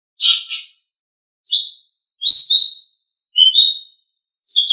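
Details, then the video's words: Asian pied starling song for training kept birds: spaced, short, clear whistled notes and a buzzy double note, about one phrase every second. "Masteran Terbaik Jalak Suren"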